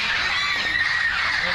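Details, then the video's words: 100+ wild green parrots flocked in a front-yard tree in Burbank squawk together in a constant, harsh, overlapping din of raspy mid-pitched screeches, with no clear pauses between calls. "Parrot Noise!"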